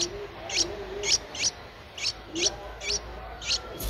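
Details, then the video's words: Streak-eared Bulbul nestling aged ten days, Ubon Ratchathani, Thailand, 12 April 2023: short bright rising squeaks spaced about half a second apart, loud and clear, some faint lower notes between. "นกปรอดสวน อายุ 10 วัน : Streak-eared Bulbul (Pycnonotus blanfordi)"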